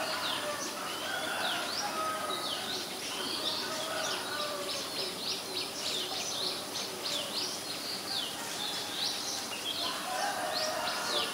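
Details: Common myna, Acridotheres tristis, in Ubon Ratchathani, Thailand, May 7, 2022; rapid continuous chatter of sharp whistled slurs and squeaky notes, several birds overlapping, with constant background noise.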